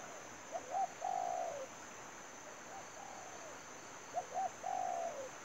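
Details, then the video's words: Spotted dove calling as a lure in a trapping setup: double short coo leading into an extended wavering coo with a falling tail. A softer phrase is heard between the two loud ones, and a steady high whine is present. "bẫy chim cu gáy. mồi nỡ rùa bay ghi bàn"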